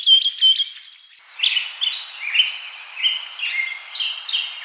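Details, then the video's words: Birds singing outdoors: clear repeated whistled notes, then a run of chirping, warbled phrases over steady background hiss. "Birds singing"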